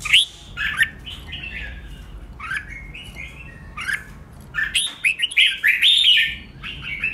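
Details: Competitive song of a red-whiskered bulbul, used to fire up and train other bulbuls: scattered sweet whistled notes and slurred chirps, quieter at first, then a louder rapid run of warbling phrases toward the end.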